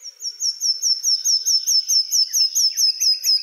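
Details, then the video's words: Common nightingale (Luscinia megarhynchos) gives a rapid run of high, sharp whistled notes, about four per second, over fainter chirps from other birds. "Common nightingale | Luscinia megarhynchos"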